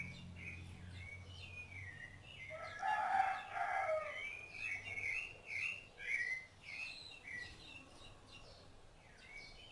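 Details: Rufous-bellied thrush feeding its chicks, giving a series of clear whistled warbling phrases, loudest and richest in the middle, then repeated shorter phrases, over a low steady hum.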